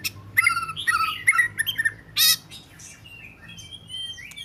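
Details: Oriental magpie-robin song of varied short whistles and chirps, some fluty and some scratchy, with a harsh burst in the middle, then softer thin whistled notes drifting up and down.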